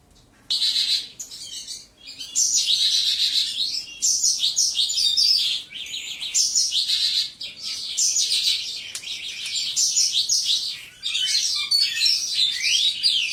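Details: Caged lark, housed in a one-metre-tall cage, pours out a long, almost unbroken song of high, rapid, jumbled twittering and warbling phrases, with only short breaks.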